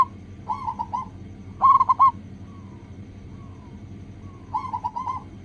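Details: Lure song of a local zebra dove meant to get other doves singing fast: three phrases of bubbly cooing, the middle one loudest, with faint drawn-out notes between them over a low hum.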